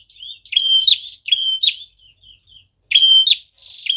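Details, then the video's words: Prinia song meant for luring birds: quick high buzzy whistles ending in sharp flicks, with softer short notes between phrases, delivered in a fast uneven run. "Prenjak tamu gacor cocok banget buat pikat dan pancingan"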